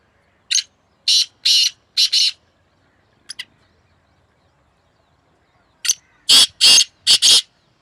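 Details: Two black francolins call against each other in a strong contest. A grating five-note phrase comes first, then a faint clipped double note, then a louder, fuller five-note reply that is harsh and buzzy with a doubled last syllable.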